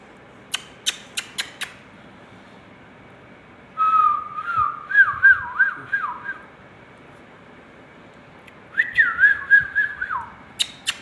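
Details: Pet ringneck parrot vocalizing in a small room: a few sharp clicks, then a long wavering whistled phrase with quick warbling dips, a pause, and another short wavering whistle followed by more clicks.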